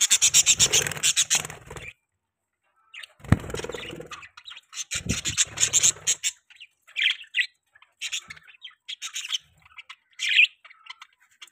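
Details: Budgerigars give rapid, buzzy chattering bursts with clicking rasps, then a quiet gap, then scattered sharp chirps and short squeaky notes spaced about a second apart.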